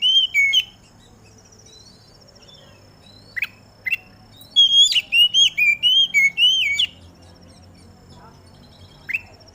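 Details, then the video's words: Oriental magpie-robin singing in the dew to spur other magpie-robins into song: opening whistles, scattered sharp single notes, then a lively phrase of about eight looping whistled notes, then a lone note near the end. "Suara Kacer Di Embun ini"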